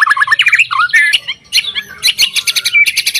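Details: Caged white-rumped shama singing to set off other shamas: a rich jumble of looping warbled notes, harsh rasping bursts and rapid clicking chatter, loud and fast-paced.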